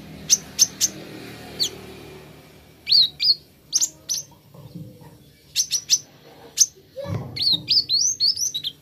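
Plain flowerpecker giving thin, very high ticks and sharp chips, some doubled, then a quick run of twittering notes near the end; faint background hum.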